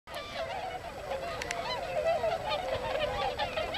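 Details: Tundra swans in winter on farmland fields of the Noboku plain in Yasugi, Shimane, Japan, a flock of several hundred; overlapping high, nasal honking calls rise and fall continuously from many birds at once.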